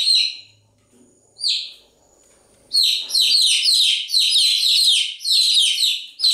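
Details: Chicks chirping, first a few isolated piercing peeps separated by near silence, then from about the third second a dense, continuous chorus of overlapping, falling chirps.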